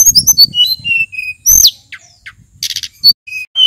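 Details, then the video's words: Male mountain sulingan, a local endemic of Mount Merapi, singing a varied song used as a lure for other birds; sharp whistled notes and quick slurred chirps jump between high pitches in fast bursts. "Burung sulingan gunung merapi nyiul GACOR ,suara pancingan SRDC & tledekan BAKAU agar cepat NGEPLONG"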